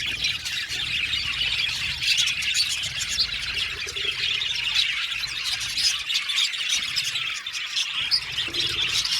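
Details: Colony of 70 budgerigar pairs kept in an aviary: loud continuous chattering, a blur of high chirps, squawks and warbles from many birds at once.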